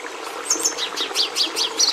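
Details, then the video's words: Red siskin (Carduelis cucullata) giving a short run of high, sharp chevron-shaped chirps, repeated about five times a second after a quiet start, with a faint steady hiss beneath. "Canto do Tarim da Venezuela"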